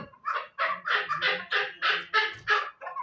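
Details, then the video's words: Chukar partridge calling a clear series of loud, evenly spaced chuk syllables, about three per second, each note broad and raspy. "Кабки Дулан"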